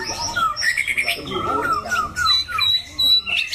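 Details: White-rumped shama kept as a competition cage bird, described as loud-voiced, harsh and varied. Separate slurred whistles rise and fall, broken by pauses, then a few clear high notes near the end.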